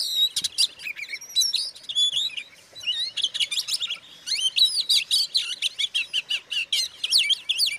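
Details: Oriental magpie-robin delivering a provoking song for other magpie-robins: sweet whistled slurs, a brief pause, then a rush of clipped rapid chirps and rising whistles, varied and energetic.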